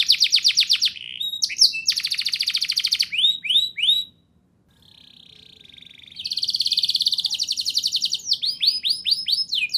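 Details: Rolling canary song used to lure young canaries into singing: bursts of rapid buzzy trills alternate with downward whistles, a near-silent gap, a level hum-like tone, then renewed fast trills and slurred notes.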